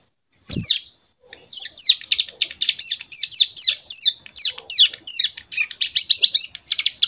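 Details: Prinia about two months old, kept and tutored with recorded Bar-winged Prinia song and AK47 fill, giving one loud sharp note, then an unbroken stream of fast, high chirps and trills.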